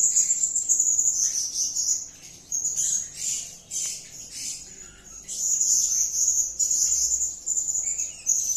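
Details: Blue-crowned hanging parrot calling busily, 'gacor' style: rapid runs of thin, squeaky high notes in waves, each lasting one to two seconds with short dips between.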